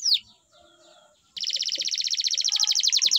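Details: Canary gives one falling whistle, a quiet gap, then bursts into a loud rapid trill of evenly spaced pulses that continues to the end.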